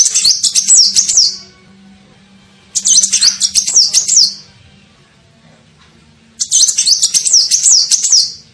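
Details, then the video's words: Sunbird lure call used to attract birds: three high, rapid bursts of thin zigzag chirps, each about a second and a half, separated by pauses of roughly two seconds, with a faint low hum beneath. "SUARA PIKAT KOLIBRI NINJA"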